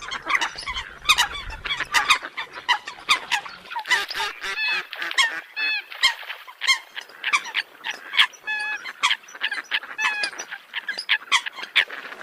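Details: Eurasian coots honk and squeak in a busy, overlapping chorus, sharp nasal notes tumbling over one another, with a low rumble during the first two seconds.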